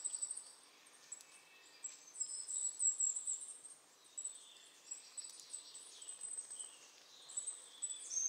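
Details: Goldcrest song: a very high, sibilant series of tiny repeated notes swelling in short bursts, heard softly over constant hiss.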